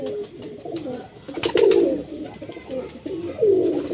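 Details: Breeder pigeon giving deep, burbling coos. Two rising and falling phrases stand out against faint tapping and scuffling noises.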